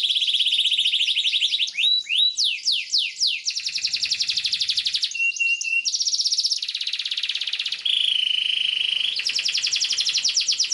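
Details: Trigger song of a canary, sung long and nonstop as a tutor for young birds: rapid buzzy trills alternate with sweeping chirps and a steady whistled tone, tempo shifting every couple of seconds.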